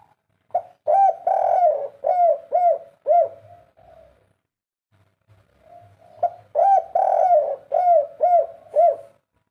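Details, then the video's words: Spotted dove singing the three-note "kuk 3" coo style: two phrases of soft, mellow, low hooting coos, each a run of rounded notes rising and falling, separated by a pause of about three seconds. "suara burung derkuku kuk 3 full gacor"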